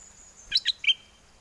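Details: Red-whiskered bulbul, a cage bird in Chana, Songkhla, southern Thailand, in a windy season, gives a wild-style mate-calling song: two clipped high chirps followed by a short, level whistled note, with little else audible.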